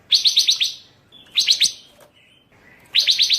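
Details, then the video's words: Pancawarna bird singing in a recording meant as song tutoring for other birds: bursts of five rapid, sharp high chirps, each burst repeated about every 1.5 seconds, with thin short notes between bursts over a faint background hiss. "Masteran burung pancawarna// gacor super brisik"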